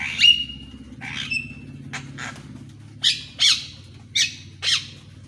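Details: Javan myna in the morning, a recording meant to coax silent captive birds into song. It opens with a clear whistled note, then gives a few scattered harsh, downward-sweeping squawks with pauses between them.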